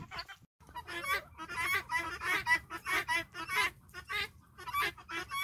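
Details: Farm-raised guineafowl flock following a hen, giving harsh, rasping broadband calls in quick uneven bursts, roughly two per second, with brief pauses between runs.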